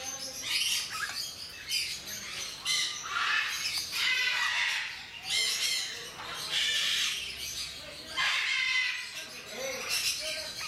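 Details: Timneh grey parrots, skilled mimics, at Mysore Zoo give harsh, broadband squawks and raspy bursts every second or two, with brief whistled notes between them in a slightly echoing space.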